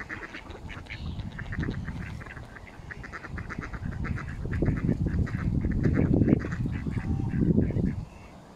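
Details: Mallards feeding in a frenzy alongside Canada geese at Smith's Pool, Fenton, Stoke on Trent, United Kingdom, on 21 November 2021, recorded on a mobile phone. Rapid, overlapping nasal quacks repeat over steady low rumbling background noise.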